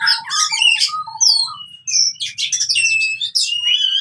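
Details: Fighting oriental magpie-robin singing, used to get silent birds singing: clear whistles slide up and down, short low whistles repeat early, then dense chirps and long steady high whistles follow.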